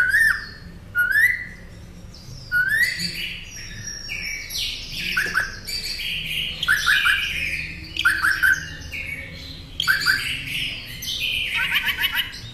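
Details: Northern mockingbird song for training caged songbirds: a varied, lively medley of rising whistles, harsh buzzy bursts and rapid chattering notes, phrases repeated several times over twelve seconds.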